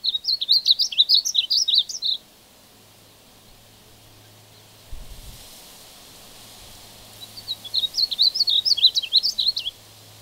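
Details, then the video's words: Male painted bunting singing: two quick warbled phrases of high, jumbled sweet notes, each about two seconds long, separated by a pause of several seconds, over a faint low hum. "Singing Painted Bunting"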